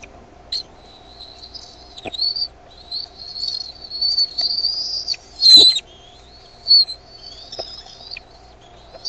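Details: Eaglets of bald eagles at Decorah on 13 May 2015 get louder when their mother lands with food; strings of high thin whistles and brief chips, roughly one every second, over a low background hum.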